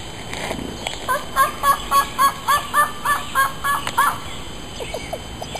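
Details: Male ruffed grouse responding to calling, approached at close range outdoors: a rapid, even series of about eleven clucking notes, close to four per second, then a few fainter, softer notes, over steady background hum.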